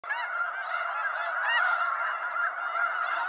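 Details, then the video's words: Wild snow geese from eastern North America calling as a flock, a dense, continuous chorus of overlapping nasal, yelping honks with no pauses between calls. "Snow Goose Sounds"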